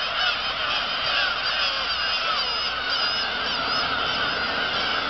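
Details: Black-tailed gulls at the Kabushima colony, Japan, recorded on 2 August 2012 after fireworks: a dense, loud chorus of many birds giving overlapping mewing, wavering cries that never pause.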